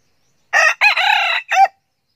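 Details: A young decoy red junglefowl cock crows diligently: a single clear, loud, harsh crow in three parts, a short first note, a longer middle note and a short clipped ending, with silence around it.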